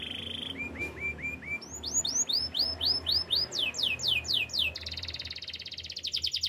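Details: Canary singing for training: a brief buzzy note, a few low upslurred chips, a series of rising then falling swooped whistles, and a fast high rattling trill at the end.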